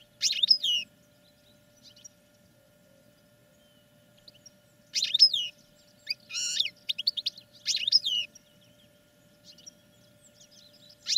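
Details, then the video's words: Caged European goldfinch song used for training, delivered as separate short bursts of sharp twittering chirps and descending slurs, with quiet gaps of several seconds between phrases and a low hum behind. "Goldfinches Singing in CAGES for TRAINING"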